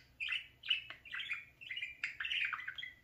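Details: Pet parakeet playing in front of a mirror, chattering indoors: a quick series of short, scratchy, chirpy bursts, some rising, some falling, repeated roughly every half second with brief gaps, and no other clear sounds.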